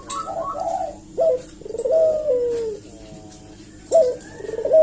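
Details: Barbary dove lure coo meant to provoke an answer: a clear rising note, then a long coo that falls in pitch. The pattern repeats several times through the recording, with quiet room noise behind.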